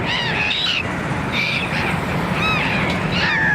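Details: Seagulls at Kalyan creek giving loud, harsh, ringing calls in short bursts, about four call groups over a few seconds, some slurred and downward, over a steady low background rumble.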